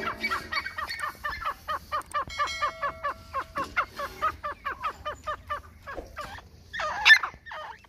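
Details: Grey francolin, called white teetar locally, calling in Pakistan: a fast run of harsh, ringing notes, about three a second, rising to a louder burst near the end, with faint steady tones in the background.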